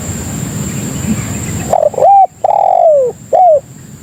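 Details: Lure cooing of a spotted dove, aimed at calling in other doves: after quiet background noise, one strong phrase of a short note, a long falling coo and a short closing note, with a steady high-pitched whine behind it.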